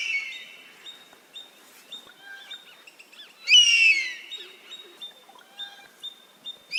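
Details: Oriental honey-buzzard recorded in Rajasthan gives a single strong descending whistled scream lasting about half a second, over a background of rhythmic short high chirps from smaller birds and a faint steady high hum.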